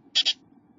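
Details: Two newly hatched chickadee chicks, fed by their parents, give two quick, hissy, high-pitched begging notes in succession, with only a faint low background hum.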